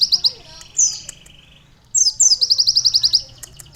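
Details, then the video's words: Canary-filled song from a lively sunbird: a short high trill, a downward-sweeping note and a steady held tone, then a rapid run of about a dozen bright, evenly spaced chirps. "konin gacor isian kenari||asli suara burung kolibri isian"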